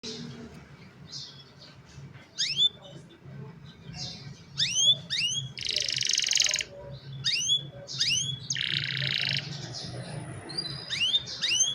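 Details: Young caged canaries singing, recorded on a cellphone to train other canaries; high rising whistled upslurs repeated in bursts with two dense buzzy trills, over a faint low hum.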